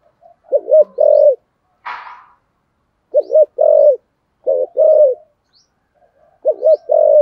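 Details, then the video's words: Spotted dove cooing in the deep 'giọng thổ sấm' voice style, a 'thúc gù' coo: four low phrases, each a quick wavering double note followed by a longer steady coo, with one short rushing noise burst midway. "cu gáy giọng thổ sấm thúc gù quá hay"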